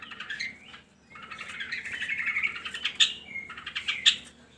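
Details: Long-tailed shrike singing, used to stir reluctant shrikes into song: a rising slur, then a continuous scratchy warbling jumble with a sustained whistled note and sharp accents, over background hum.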